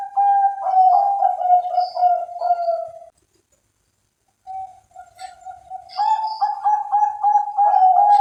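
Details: Bred Bangkok zebra dove (perkutut) in Cilacap, Java, with a rolling cooing phrase, a short pause, then a rapid series of pulsed, mellow coos repeated several times a second, with a few faint high chirps from other birds.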